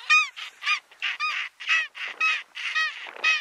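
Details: South polar skua (Stercorarius maccormicki) on Penguin Island, Antarctica, in February 2022, giving harsh, nasal, gull-like calls, about two per second in a rough, quick series, overlapping notes suggesting more than one bird.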